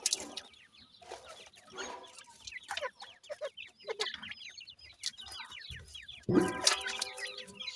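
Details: Sindhi grey francolin chicks at feeding time, a brood peeping together in a dense overlapping chorus of short high downward-slurred chirps, with occasional louder bursts of clatter and a brief harsh harmonic call near the end.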